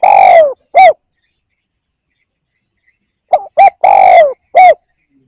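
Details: Spotted dove used as a lure call: the tail of a phrase with a long descending coo and short note, a pause, then a full phrase of quick double coos, a long slurred coo and a final clipped coo.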